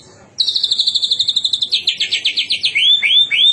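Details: White-rumped shama song: a fast high trilled roll of rapid repeated notes, shifting to a slightly lower chattering trill, then ending with three loud rising-falling whistled sweeps, close and clear.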